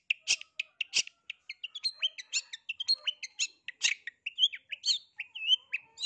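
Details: Long-tailed shrike seeking a rival, a song meant to provoke other shrikes into answering: a fast, varied run of sharp chirps, short whistles and buzzy notes, with clicky high bursts near the start, delivered almost without pause.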